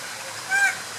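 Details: A captive boat-billed heron at Lowry Park Zoo gives a single brief, flat, nasal honk lasting about a fifth of a second, against a steady background hiss.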